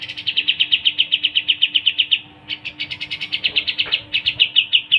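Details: Pied triller singing long, fast trills of sharp, evenly spaced high notes, about eight per second, with only a brief break before the trill resumes and runs on to the end.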